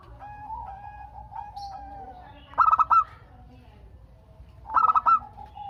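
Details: Local zebra dove in full song, used as a lure to get other doves calling back. A stuttering bright cooing phrase comes twice, about two seconds apart, over softer, lower drawn-out coos.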